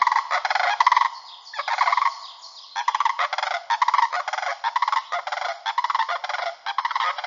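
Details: Greater sandhill cranes in the Yampa Valley of Northwest Colorado give loud, rolling, rattled trumpeting contact calls in overlapping bursts, several birds calling together in quick succession.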